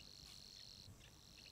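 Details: A Savi's Warbler calling from dry reeds about 10 ft away gives its steady, vibrating reel, a continuous insect-like buzz much like a mole cricket.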